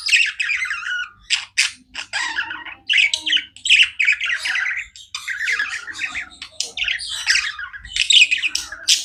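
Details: Pet budgerigars chirping non-stop: dense, scratchy warbled chatter of quick overlapping chirps and squawky notes, bursts separated by brief gaps, in a quiet indoor setting.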